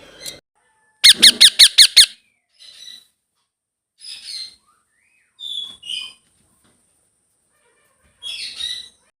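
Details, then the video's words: Baby blue ringneck parrot: a loud burst of six rapid, harsh, squeaky notes, then several shorter high wavering squeaks and chirps separated by pauses. "Blue Ringneck Parrot Baby Sounds"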